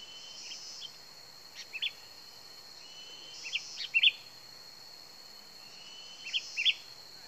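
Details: Lure recording of a sooty-headed bulbul: brief clusters of two or three bright, bubbly notes repeated every couple of seconds against a continuous high insect buzz.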